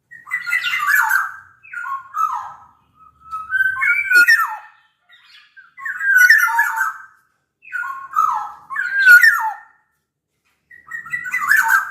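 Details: Lively black-naped oriole from Sumbawa singing to coax other orioles: about six fluty, whistled phrases in a row, each ending in downward slurs and mixed with scratchy harsh notes.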